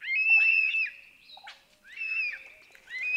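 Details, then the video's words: African hawk-eagle (Aquila spilogaster) at Balule Nature Reserve near Kruger, South Africa, gives two shrill, high, slightly wavering yelping calls about a second apart, each nearly a second long, with a quiet natural background. "African Hawk Eagle (Aquila spilogaster) Bird Call"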